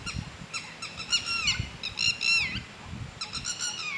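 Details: Red-wattled lapwing, one of two living in a garden, loud and attacking people who come too close; shrill harmonic-rich notes in rapid series, sharply down-slurred at the end of each burst, with low thumping noise beneath.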